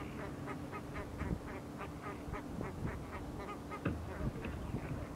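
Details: Chilean flamingos courting at Laguna Urtiz reserve, Río Gallegos, southern Patagonia, Argentina, in winter, 7 August 2024, give a busy chorus of nasal, goose-like honks, several birds overlapping in rapid bursts.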